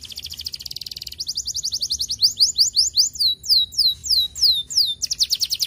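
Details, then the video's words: Canary song used to get other canaries singing, a fast buzzy trill giving way to loud downslurred whistled notes repeated about three per second, then returning to a rapid trill. "estimular muito rapidamente o som de canários preguiçosos"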